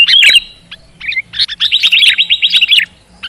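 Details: Sooty-headed bulbul song, played as therapy to make a quiet bird sing often with fighting spirit: a loud high chirp, short bright notes, then a fast run of about a dozen clipped, rising-falling whistled chirps, ending with one more note.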